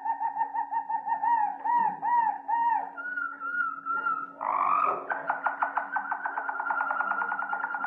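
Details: Harz Roller canary song moving through low tours: soft repeated bubbling notes, a level whistled tone, then a deep fast rattling roll, over a constant faint hum.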